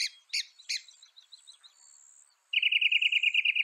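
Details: Northern mockingbird (Mimus polyglottos) of North America singing: three harsh, broad chattering notes, then a fast, even trill of bright repeated notes, with a faint high steady tone behind.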